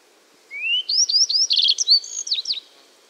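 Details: Yellow-browed bunting of East Siberia singing one high phrase: a long rising thin whistle, several clear upslurred notes, a quick buzzy rattle, then sharp falling chips, all within two seconds.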